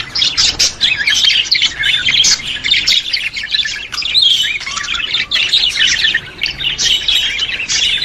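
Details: Budgerigar warble for stimulating budgies: fast, twisting chirps and rolling trills in an almost nonstop flow, loud and bright throughout.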